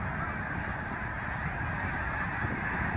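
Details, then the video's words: Snow geese in migration, a big flock calling all at once: unbroken chatter of many overlapping honks at an even loudness, over a deep background rumble. "Les oies des neiges en migration"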